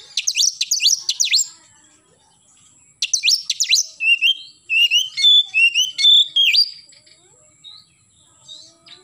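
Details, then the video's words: Oriental magpie-robin in full 'gacor' morning song. Rapid series of steep descending chip notes repeat in two bursts, then give way to a run of varied whistled phrases and quieter trailing notes. "KACER GACOR pagi hari nembak"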